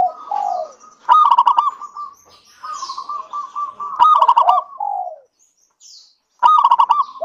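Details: Singing local zebra dove whose song is used to coax other doves into singing: loud rattling phrases of quick clipped notes about every three seconds, separated by level cooing and softer descending coos, with faint higher twitters.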